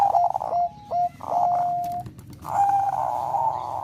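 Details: Zebra dove of the Bangkok type singing to trigger breeding condition: clipped notes and drawn-out level coos, then a long sustained ringing phrase.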